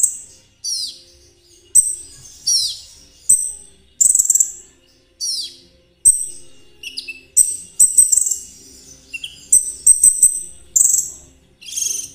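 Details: Konin trotol song for bird therapy and as a lure for ninja sunbirds: downslurred high whistles give way to a dense run of shrill chips and short rattles.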